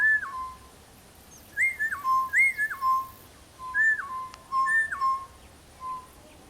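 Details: A pair of East Coast boubous (Laniarius sublacteus) calling from a tree in bush near Kilifi, Kenya, on a morning bird walk: pure, mellow whistles stepping sharply down from a high to a lower held note, in runs of two to four, faint insect hiss behind.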